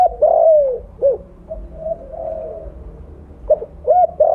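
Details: Strong-voiced mottled 'blorok' spotted dove, a lure call: a long falling coo, a short coo, soft murmuring, then two quick coos and a loud long coo again.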